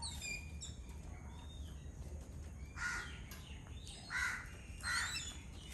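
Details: A Yellow-billed Babbler flock eating coconut from the shell gives three loud, rasping squawks spaced about a second apart, after quieter high chirps from other birds.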